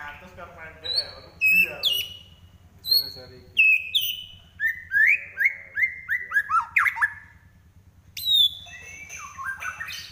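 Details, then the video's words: White-rumped shama in fighting trotol song: several clear high whistles, then a long series of about a dozen loud slurred notes stepping downward, ending with sharp high upslurs and descending whistles. "Murai Lepas Trotol Tarung"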